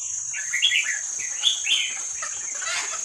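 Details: Young wild Vietnamese-type red-whiskered bulbul, recorded for playing to train young birds: short bubbly warbled phrases, somewhat faint, scattered across three seconds over a steady high hiss.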